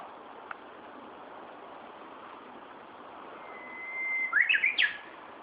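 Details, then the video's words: In Tokyo, Japan, on 1 June 2013, a bird gives a long level whistle that grows louder, then snaps into a short burst of rising and falling warbled notes, with soft background noise. "鳥の鳴き声 Bird’s sound"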